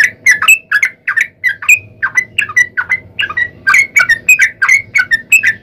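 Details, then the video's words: Long 'ropel' song of a yellow-vented bulbul, used as a lure for other bulbuls: a steady sequence of clear, slurred whistled notes, several rising at the end, delivered about three per second over a low hum. "trucukan gacor ROPEL PANJANG buat pancingan trucukan agar bunyi"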